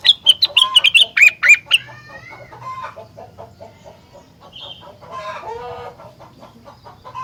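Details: Vigorous rengganis song that sets other rengganis singing: opens with a rapid string of loud, high, ringing notes, then drops into quieter wavering whistles and low chatter, with one brief high note in the middle.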